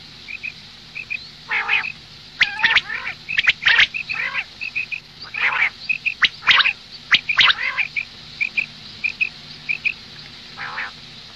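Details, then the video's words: Morning calling by a female common quail: soft high pips in pairs at first, then a cluster of louder raspy, nasal squawks, before the paired pips return. "Madi batair ki awaz suba ke liye مادی بٹیر کی آواز"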